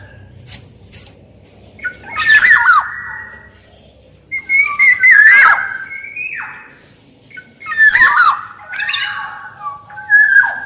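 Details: Black-naped oriole sound used to lure and tutor other orioles; loud, liquid whistled phrases with scratchy squawks, in bursts about every three seconds, with brief pauses between them.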